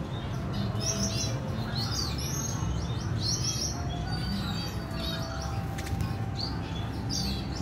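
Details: Female red siskin feeding her chick, recorded 14 April 2021; a run of high twittering chirps, densest in the first half, with a faint clicking burst and steady low background hum.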